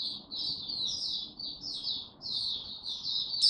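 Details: Young caged white-eye, of a type the owner calls Dagger, in Singapore, recorded 9 February 2022 while its song is still maturing: soft, rapid high warbled phrases running together continuously, with one sharper note at the end.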